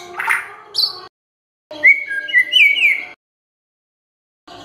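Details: White-rumped shama song used to provoke other birds to sing: a scratchy opening note, a pause, then a quick series of clear, sweeping whistles and trills at high pitch, stopping abruptly.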